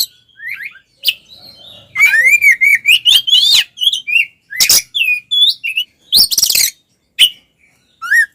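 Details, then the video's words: Oriental magpie-robin in loud 'ngeplong' fighting song for provoking rival males: a fast sequence of rising whistles around the middle, interrupted by harsh noisy bursts and scattered short whistled notes. "SUARA BURUNG kacer gacor NGEPLONG TARUNG konslet paling AMPUH buat PANCINGAN KACER agar EMOSI"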